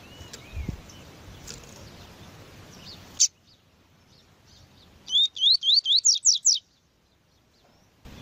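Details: Double-collared seedeater, tui tui song style used to tutor captive males for song tournaments, recording with a female present; after noisy rustling and silence, a quick run of about eight sharp rising whistled notes in one and a half seconds.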